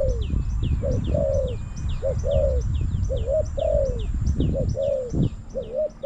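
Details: Spotted dove used as a decoy to lure wild doves at a trapping spot in Bang Li, Thailand, giving two-note 'kuk' coos. Mellow low coos come in short paired bursts over a rumbling background, with faint high chirps from other birds above.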